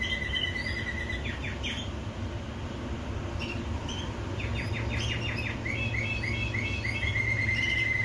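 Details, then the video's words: Canary song of rapid repeated chirps and bright downward-sweeping notes, building into fast rolling trills and finishing on a clean sustained whistle, with a steady low hum underneath. "Beautiful canary singing video"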